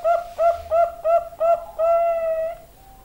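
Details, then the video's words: Hura hura style song of a Bangkok-type zebra dove: five short, rounded coos about a third of a second apart, then one long, steady drawn-out note that fades away, in a quiet setting. "perkutut bangkok suara hura hura"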